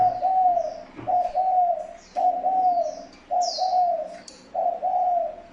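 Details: Spotted dove calling as a decoy to attract wild doves, giving loud, mellow, slightly rising two-part coos repeated about once a second. Faint thin high chirps from other birds sound in the background.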